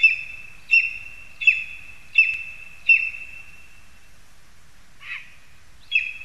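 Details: Lesser spotted eagles in spruce, Zemgale, Latvia, 22 August 2021: five loud, clipped high yelps in a quick even run, a short pause with a softer rough note, then one more yelp.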